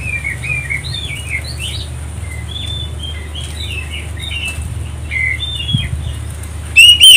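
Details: Oriental magpie-robin song played as a lure to provoke other birds into answering and singing: a steady stream of short, varied whistled and chirping notes, quick and jumpy, over a constant low hum, ending with a louder sharp note.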